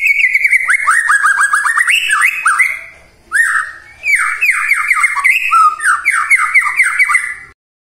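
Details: White-rumped shama song for provoking silent shamas in the morning: an energetic stream of rapid, rich downslurred whistles and chattering notes with one brief dip, continuing for over seven seconds.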